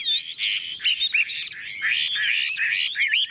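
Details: Chinese Hwamei in a cage, tame and newly arrived, yellow-billed and yellow-legged, singing into the onset of heavy rain: twisting, warbled whistles over a broad hiss of downpour.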